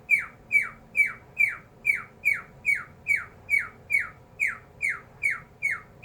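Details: Cockatiel (Nymphicus hollandicus), mimicked laser sound.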